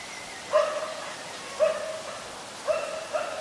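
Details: Adult zebra dove recorded in Ubon Ratchathani, Thailand, in late December: soft, low, rounded coos, each beginning with a brief stutter and then held, repeated about once a second against a quiet background.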